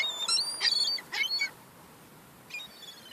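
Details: Young gulls fighting over crumbs: bursts of high, thin, whistled calls with sliding overtones, several in quick succession in the first second and a half, then a lull and one short, fainter call near the end.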